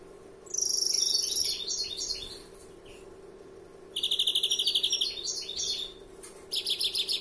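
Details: Young greenfinch in its first year delivering long larguero song phrases: a bright high trill, then fast rattling note series and scattered chirps, with a constant low electrical hum beneath.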